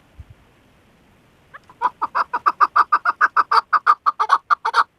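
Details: Female decoy chukar partridge for hunting: after a quiet start, a fast, building series of loud, clucking chuk notes begins and carries on for over three seconds, roughly three per second.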